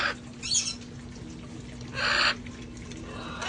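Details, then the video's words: Sanctuary parrots outdoors enjoying life before the cold season; a short harsh screech followed by a longer, broad, grating squawk, with quieter rustling in between over a low hum. "sounds of parrots having fun outside enjoying life"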